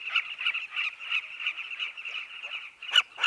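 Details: Southern carmine bee-eaters at a nesting colony, a highly social species that digs burrows in a dry riverbank. Many birds chirp at once in a dense, overlapping chatter of rolling, buzzy notes, with a few louder, sharper calls near the end.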